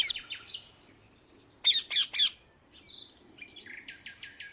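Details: Rose-ringed parakeet flying free in the wild in the Netherlands: three loud, harsh, rasping squawks in quick succession mid-clip, with softer chirps from other birds before and after.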